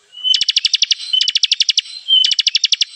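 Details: Bar-winged prinia calling as a trapping lure: three bursts, each opening with a thin whistle and followed by about eight rapid, buzzy, evenly spaced chips.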